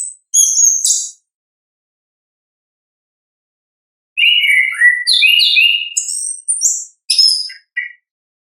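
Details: Orange-headed thrush, ngeplong-style song recorded in the wild: a brief high phrase, a pause of about three seconds, then a lively run of rising and falling whistles, trills and sharp high notes over several seconds. Clean background.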